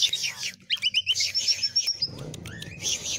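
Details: Javan pied starling song used as a model for training other birds: a rapid jumble of high whistles, chirps and trilled phrases, with faint low background noise.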